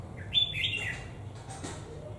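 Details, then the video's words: Red-whiskered bulbul ('Mào Đá'), a caged bird kept for more than a year, gives a short bright whistled warble rising then falling, followed by fainter chirps over low background hum. "Mộc Dở Hơn 1 Năm Lồng | Yếm Đậm Bản To | Mào Đá Lân Họng Bò Đầu To"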